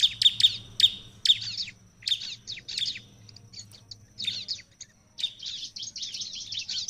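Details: Lively prinia song meant to provoke rival ciblek into replying: quick, piercing chirps in short bursts, broken by brief pauses, and ending in a dense, buzzy chatter over a faint background hum.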